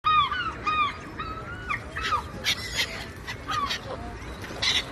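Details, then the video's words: Seagulls in flight over the ocean giving harmonic, downslurred mewing cries, several in quick succession at first, then scattered overlapping calls from more birds against a steady background wash of sea. "Seagulls | Seagull Sounds | Seagulls Flying | Seagull Sound Effects And Video"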